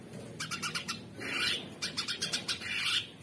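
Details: Very vocal orange-bellied leafbird in modern 'materi' style: rapid clicking, ticking bursts alternating with two longer buzzy, rasping notes, all high-pitched and repeated irregularly.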